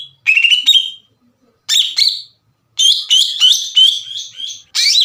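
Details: Greater green leafbird delivering an energetic lure song for provoking other leafbirds: brief whistled phrases, then a long run of bright, rasping repeated notes.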